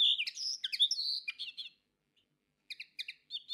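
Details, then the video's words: Common linnet (Carduelis cannabina) gives a quick, high twittering phrase of varied chirps and trills, then after a short pause a few paired chirping notes. "Коноплянка - Реполов. (Carduelis cannabina) أصوات الطيور"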